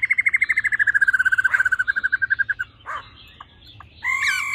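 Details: Female laughingthrush singing 'ro ro' to spur males on: a long, fast, rhythmic trill of over thirty pulses descending slightly, a few faint clicks, then a sharp sustained buzzy note.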